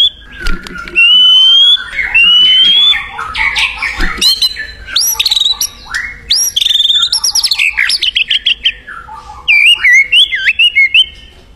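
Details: White-rumped shama singing in the wild: rich, varied phrases of clear rising whistles, then a rapid stuttering series of sharp notes, and finally long pure whistled tones, over faint low rumble.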